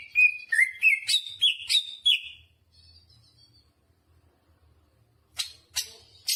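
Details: Greater green leafbird singing energetically, with a run of stepped, rising and falling whistled notes for two seconds, a soft high trill, then a few sharp chips after a pause.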